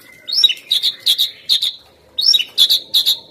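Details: Asian pied starling song used for training songbirds: two bursts of sharp chirps and squeaky whistled notes, each a quick run of clipped syllables, separated by a short pause.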